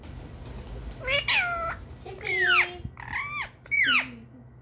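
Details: Pet Indian ringneck parrot talking, saying "mitu mitu": four drawn-out, nasal, speech-like syllables with bending tones, indoors in a small room.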